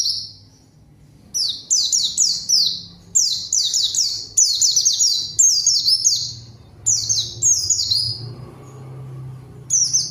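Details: Actively singing white-eye, a lure to call an opposing bird: long run of piercing, rapid falling whistles grouped into tight bursts, brief gaps between them, and a soft low droning hum underneath toward the end.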